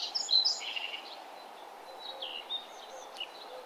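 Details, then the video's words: Birds singing as the sun comes up over a nature trail: a short, bright, high warbled phrase opens, followed by scattered fainter chirps and whistles. "Nature trail with birds singing and the sun arising"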